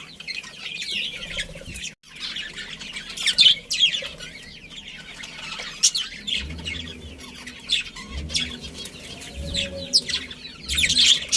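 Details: Budgerigars in a breeding colony kept as pets, giving a busy chatter of high, quick chirps and warbles from several birds at once, with bursts of louder sharp notes and light background rustle.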